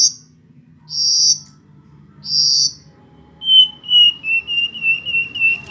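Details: Hill blue flycatcher in song: three rich, slightly buzzy high phrases, then a fast series of clear descending whistled notes repeated about four times per second.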